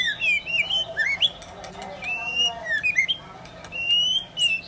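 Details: White-rumped shama, male and female: a string of wavering whistles and rising slurs over a busy background of clicks and other noise.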